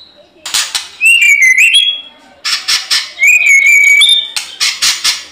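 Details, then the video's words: White-rumped shama in fighting mood, singing clear sliding whistled phrases amid bursts of sharp clattering and flapping sounds. "CUMA SEBANTAR MURAI LAIN IKUT GACOR TARUNG"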